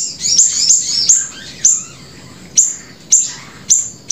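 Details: Grey-breasted prinia singing prolifically ('gacor') as a lure and tutor track: a quick burst of thin, high chittering notes, then single sharp downward chips spaced about half a second to a second apart.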